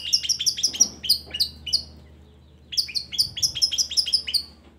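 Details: Long-tailed shrike vocal lure for birds reluctant to sing: two bursts of fast, bright, high chirps in quick trill-like series, divided by a silent gap of about a second.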